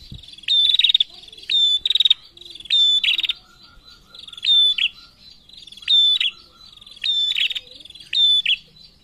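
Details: Female prinia calling persistently, answered by males: sharp high metallic clicking bursts, each a rapid rattle with a thin whistled note, repeated about every second in a steady series.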